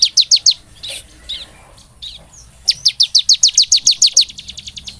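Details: Bar-winged prinia lure song: a short burst of shrill chirps, a gap with a few softer buzzy notes, then a long rapid series of piercing high chirps.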